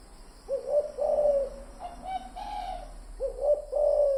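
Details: Spotted dove lure call: mellow, husky coos in two groups. Each group opens with a short note and swells into a longer held coo.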